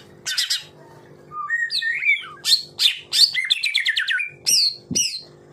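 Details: Real white-rumped shama singing fierce 'tembakan' phrases for bird training: quick varied sequence of sharp downslurred whistles, rising slurs and short chattering notes in bursts, over a steady low electrical hum.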